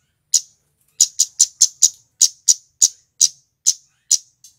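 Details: Male scarlet-headed flowerpecker, the recording used as a lure to trap Javan flowerpeckers, giving loud, very high, sharp 'cit' notes, about a dozen in quick succession at uneven intervals, in an otherwise silent background.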